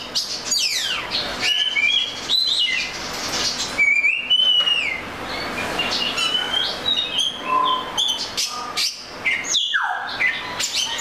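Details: Oriental magpie-robin song: varied whistled notes, quick down-slurred sweeps and warbles in a busy, continuous sequence, ending with a sharp descending note.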